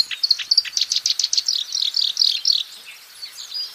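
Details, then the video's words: Wild black-browed reed warbler in full song, giving a rapid string of grating, clipped notes with a few sharp whistled accents, then trailing off into quieter scratchy twitters. "Burung kerakbasi alis hitam gacor di alam bebas"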